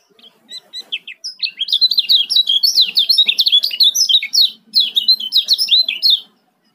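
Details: Male yellow-vented bulbul of Lombok delivering a fast, close-set 'ciak' chatter as a lure: a few scattered chips lead into about five seconds of rapid, sharp, wavering high notes, then silence.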